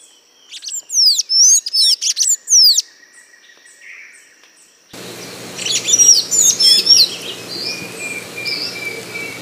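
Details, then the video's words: Golden-chevroned tanager (Thraupis ornata) song: quick runs of thin, high, squeaky notes with brief pauses between runs, and a low hum under the second half. "O canto do Sanhaço de Encontro amarelo ( Thraupis ornata )"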